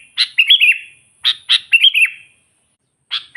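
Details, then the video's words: Sooty-headed bulbul calling to provoke wild rivals: short clusters of sharp chirps followed by quick bubbling, slightly wavering phrases, repeated in spaced bursts with silent gaps between, over a faint constant high-pitched hum. "suara burung kutilang gacor memanggil kutilang liar"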